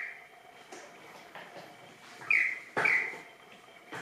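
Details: Superb lyrebird during a practice dance: soft scattered notes, then two loud, sharp slurred notes close together near the middle, over steady background hiss.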